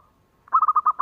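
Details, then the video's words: Local zebra dove song used as a lure to set other doves singing: a faint drawn-out tone, then a quick run of six loud, evenly spaced cooing notes held at one steady pitch. "SUARANYA BIKIN YANG LAIN BUNYI"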